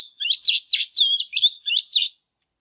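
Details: Energetic song of a female Oriental magpie-robin meant to stir male birds: a two-second string of loud, fast, mixed whistles and harsh chatter, then silence.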